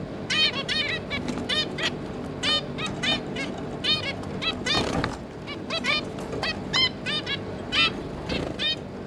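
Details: A zebra finch family of two parents and three juveniles, 5 August 2022, fills the clip with dense, overlapping nasal chirps repeated rapidly, a brief broadband rustle near the middle.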